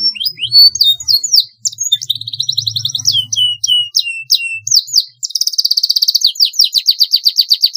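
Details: Canary in long rolling song, played as a master recording for training: varied sweeping whistles and short trilled bursts, then a fast, even rolling trill of rapidly repeated notes to the end; faint low hum in places.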